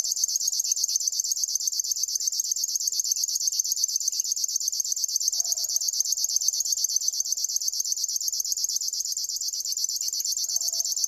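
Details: A long, even River warbler song of dry, buzzy pulses that never breaks. A faint low call from another bird is heard twice.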